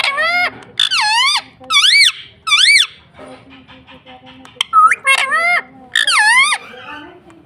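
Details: Pet green ring-necked parrot indoors producing a rapid string of short, high, harmonic word-like calls, each sliding up then down, in bursts with brief pauses and a faint steady hum underneath.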